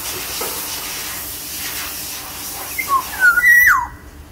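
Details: Single mellow whistled phrase from a large Sumbawa black-naped oriole near the end: short sliding notes, a held level whistle, then an abrupt downward sweep, after a stretch of steady hissing background.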